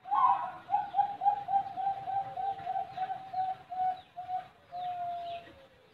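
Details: Cooing of a Bangkok-type zebra dove from a bird farm in Buleleng, Bali: a brighter opening note, then a rapid string of short mellow coos that slow and end in one drawn-out final note.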